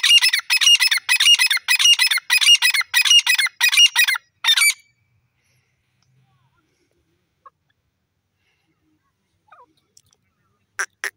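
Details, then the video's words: Grey francolin, a wild bird, giving a rapid run of harsh, high, repeated notes for about four seconds, then near silence with a few faint clicks and a brief final burst. "wild bird teeter irani desi teetar ki boli pheasant ki voice"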